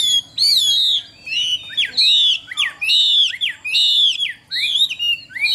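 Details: Caged Chinese hwamei, a Vietnamese cage songbird prized for singing well, pouring out loud, varied whistled phrases: sweeping downslurs, upturned notes and short flourishes in bursts with brief gaps.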